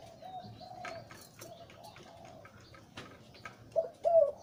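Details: Breeding male zebra dove of the Liu Tan style, deep voice: soft, faint cooing at first, ending in two louder, rolling coo notes; light clicks and knocks in the background.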